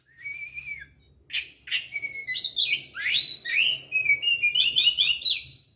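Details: White-rumped shama, kacer Aceh, recorded 24 December 2022: a single rising whistle, a pause, then a rapid sequence of sweeping, ringing whistled phrases, about two per second, ending softly, with a quiet low hum.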